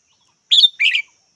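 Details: Two-note call of a red-whiskered bulbul: a clear high chirp followed at once by a fuller, slightly buzzy second note, over a quiet background.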